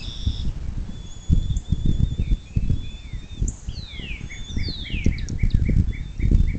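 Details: Bald eagle, nest camera by the Little Miami River in southwest Ohio, early morning of 26 April 2024: in the second half a fast string of sharp, high piping notes follows sweeping songbird whistles, over a steady low patter.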